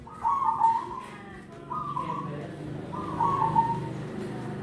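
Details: Zebra dove cooing: soft warbling trilled coos around a low pitch, given in three separate bursts about a second and a half apart, over a steady background hum.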